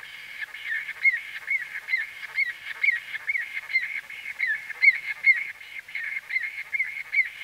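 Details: Close recording of white-fronted bee-eater calls: a continuous string of short nasal notes bending up then down, around two each second, varying a little in loudness.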